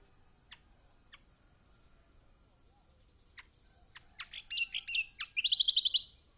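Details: Yellow-vented bulbul song used as a lure to make silent birds sing: a few sharp high chips, then a rapid burst of bright, high chirping notes ending in a fast, evenly repeated trill.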